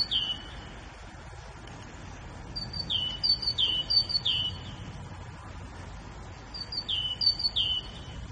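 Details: A grey bulbul gives two brief bursts of bright, high, downward-slurred whistled notes, several seconds apart, over a steady low background rumble.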